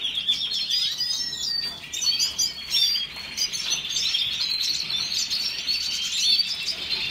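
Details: Red siskin song, a long unbroken stream of high chattering twitters mixed with rising and falling thin whistles and rapid buzzy trills.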